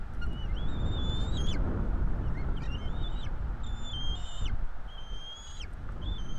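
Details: Bald Eagle nestlings, a pair of chicks being fed at a nest in Florida, 5 April 2022. Repeated high, sustained whistles end in down-slurs, about five in six seconds, over strong low wind noise.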